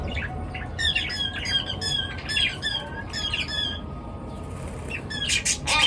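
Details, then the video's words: Morning chirping from pet birds, with rapid bursts of high, warbling squawks and tweets repeating about every half second, several voices overlapping above a constant low background hum. "পাখির কিচির মিচির ডাকে সকাল বেলার ঘুম ভাঙা"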